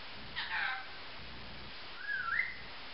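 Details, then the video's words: Caged female grey-green olive lorikeet making assorted noises at home. A brief harsh, buzzy squawk comes first, followed by a clear slurred whistle that dips and then rises. "Lorikeet Noises"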